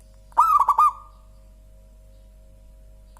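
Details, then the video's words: Local zebra dove singing with a soft, rich voice: one quick stuttering phrase of about four clipped cooing notes, then the next phrase just starting at the end, over quiet background hum. "Suara Burung Perkutut Lokal paling empuk dan gurih"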